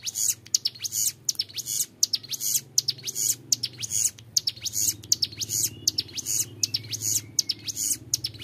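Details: A young Bar-winged Prinia delivers clear, long 'ngebren' song meant for training other birds: steady, fairly regular bursts of high, shrill buzzing notes with rising flicks, about eighty per minute.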